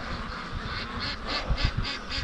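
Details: Domestic ducks at the end of their pen on a sunny, windless day are in a frenzy, wanting out. Rapid, rhythmic bursts of calling come about five times a second, over low thumping and bumping noises.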